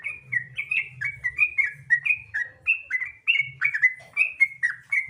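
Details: Continuous sooty-headed bulbul song used as a lure for other bulbuls: quick repeated whistled phrases with bubbly, slurred notes, steady in rhythm, above an intermittent low hum.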